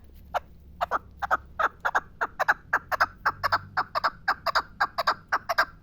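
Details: Steady, rhythmic chukar partridge calling from the Pamirs: evenly spaced, punchy chuk notes, roughly two per second and often paired, continuing throughout.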